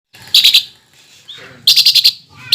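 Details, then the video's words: Greater green leafbird singing as a lure to rouse rival leafbirds into song: harsh buzzy chattering bursts in two clusters separated by a short quiet gap, with one brief thin whistle between them. "PANCINGAN CUCAK IJO GACOR NEMBAK UNTUK MENAIKAN EMOSI CUCAK IJO LAIN AGAR JAMTROK"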